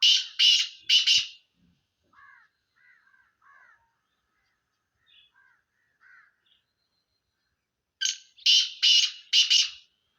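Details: Black francolin of the Sindhi type in a mix of calls: a loud, harsh, grating burst of three rapid notes, then faint softer scratchy notes for several seconds, then a second loud harsh series of four notes.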